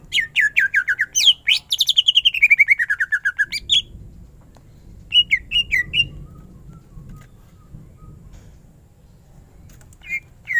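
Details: Greater green leafbird in lively 'ngentrok' style song: a fast burst of slurred whistles falling in pitch, then quiet with a few short whistled phrases and faint low background hum.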